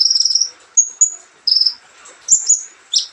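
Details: Brief passage of olive-backed sunbird song: a buzzy trill, two thin whistles, another buzzy trill, then high sharp notes.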